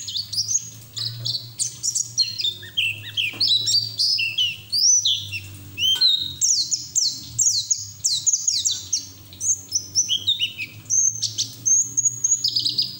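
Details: White-eye pouring out ngeriwik song, used to get other white-eyes singing; long stream of high, rapid, twittering notes and downward-slurred chips, broken by short pauses, with a low droning hum underneath.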